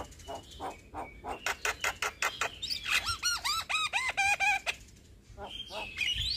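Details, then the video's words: Young Javan myna singing for use as a training master: a fast train of harsh clicks builds into a series of repeated, rising-and-falling whistled notes, then rougher chatter. "Jalak Kebo Muda Gacor Untuk Masteran Dan Pancingan Semua Jenis Burung Jalak"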